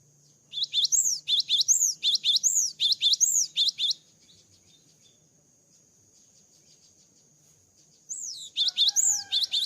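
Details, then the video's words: After moulting, a gelatik batu (cinereous tit) sings slower phrases pairing a high upslurred whistle with lower downslurred notes, in repeated groups. A pause follows, then a second bout with faint lower tones beneath. "GELATIK BATU GACOR ‼️ KICAU GELATIK BATU SETELAH MABUNG"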